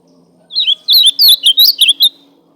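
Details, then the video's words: Azulão, the ultramarine grosbeak, in the fibre song style, delivers a brief run of sweet slurred whistles, about eight notes bunched together over a second and a half, with a steady low background hum. "Azualão cantando duvido o seu não foguear"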